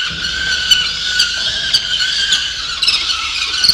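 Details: Loud, continuous, grating screams from peregrine falcon chicks at a camera-watched nest in November, steady in pitch with small clicks and bumps throughout.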